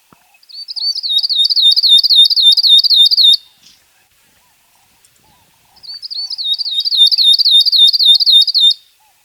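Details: A northern grosbeak-canary (Crithagra donaldsoni) calls, giving two three-second bursts of quick, high, wavering notes, about four a second, with a pause between and nothing else heard.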